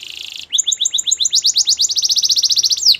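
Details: Belgian canary singing each morning: a short buzz gives way to a quickening series of high rising chips that run together into a fast trill.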